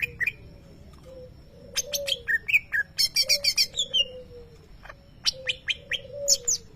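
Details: Caged greater green leafbird, a contest champion, singing mimicked lovebird-style notes: sharp high chirps and rapid buzzy trills in bursts, with short descending whistles, over a steady low hum and a faint lower tone.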